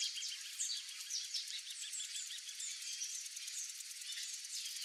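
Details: White Woodpecker (Melanerpes candidus) calls at a backyard with fruit: shrill, high chattering notes in quick, overlapping bursts, as from a small noisy group, with a faint steady hiss behind.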